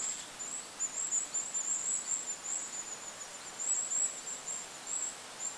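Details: Forest near a lake with a Goldcrest uttering faint, very high thin notes in a loose run, partly blurred by background wind noise.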